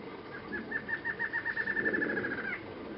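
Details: Lined Antshrike (Thamnophilus palliatus): a two-second series of mid-pitched nasal notes that speeds up into a rattle and ends on a sharper final note, over soft low background noise.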